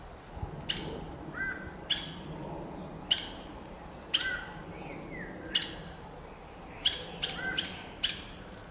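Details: Saffron toucanet (Pteroglossus bailloni) in Brazil giving sharp, scratchy notes roughly once a second, some in quick pairs, with soft lower whistled notes between and a faint hiss behind.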